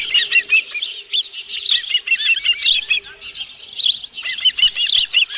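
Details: Dunrovin Ranch nest, 11 July 2018, osprey with a live fish: continuous bursts of high, squealing whistled chirps in irregular clusters, some notes bending downward, low hum faintly present.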